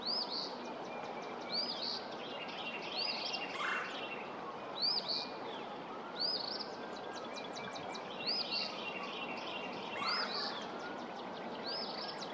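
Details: An early Eastern Phoebe at Pawnee Prairie Park on 23 February 2024 gives sharp, high arched chip notes about every one to two seconds, with faint twittering from other birds over a steady background hiss.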